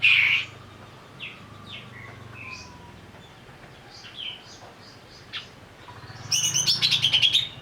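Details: Greater green leafbird provoked to sing in agitation, a lure recording: a loud opening note, soft scattered whistles and slurs, then a loud rapid buzzy rattle at the close.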